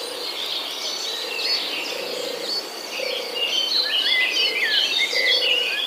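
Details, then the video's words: Birds chirping among green corn plants and palm trees; many overlapping bright, quick twittering and whistled notes over a steady hiss, with a low pulsing hum repeating about once a second. "The sound of birds chirping among the corn plants"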